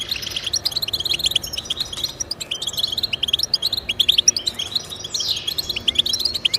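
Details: Goldfinch singing meant to encourage goldfinches in song: lively high twittering and chattering trills with an occasional buzzy slurred note, continuous and fairly loud.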